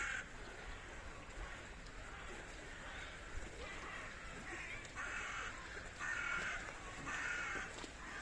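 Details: Captive Humboldt penguins in a snowy zoo enclosure in Vienna in spring. Faint murmur at first, then a run of harsh, nasal, buzzy calls repeated about once a second in the second half, over steady outdoor background noise.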